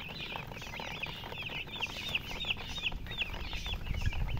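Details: Many baby chickens peep together in a dense chorus of short, high, downward-slurred chirps, several each second and overlapping, over a low rumbling background.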